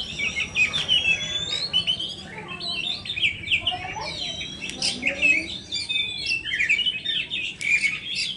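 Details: Bright, busy song from an Oriental magpie-robin of the kacer poci kind: high ringing whistles, zigzag slurs and short chattery bursts delivered almost nonstop, with a soft hum underneath.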